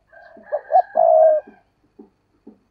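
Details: A decoy spotted dove gives one phrase: two short rising low notes, then a drawn-out mellow coo. Soft low clicking taps follow.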